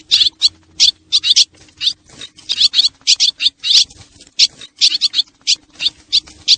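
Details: Swallows of Xieng Khouang on a lure sound: a near-continuous stream of high, scratchy chirps and twitters in uneven clusters, backed by a faint low drone throughout.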